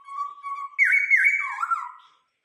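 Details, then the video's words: Vietnamese laughingthrush kept as an ornamental cage bird, singing the 'bắt cô trói cột' style: smooth, sustained whistles that slide up and dip, then drop lower before fading. "chim khướu hót bắt cô trói cột"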